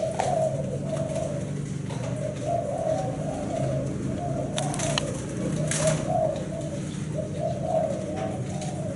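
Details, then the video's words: Thai black-spotted spotted dove, seven-note style: low mellow coos in short wavering phrases repeated about every second, with a couple of brief clicks and a low background rumble. "Cu gáy thái bông đen 7 sị"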